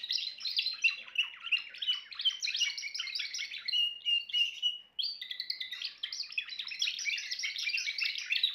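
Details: Timbrado canary with a long, rich song of rapid chattering trills and rolling phrases, a steadier tone around four seconds, a brief break, then another dense run of bright notes.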